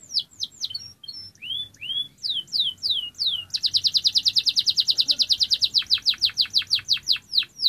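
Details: Canary song that opens with varied high swoops and a few short rising whistles. It then breaks into a fast, dense rolling trill of downward sweeps that gradually slows and spreads out.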